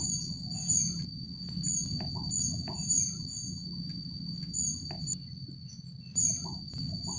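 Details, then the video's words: High-pitched squeaky calls of a Rufous-backed kingfisher at the Jatimulyo bird conservation village, delivered in loose bursts with gaps, against a steady shrill tone, occasional clicks and a low rumble. "Raja Udang Punggung Merah alias Rufous-Backed Kingfisher (ceyx rufidorsa) dengan suara panggilannya"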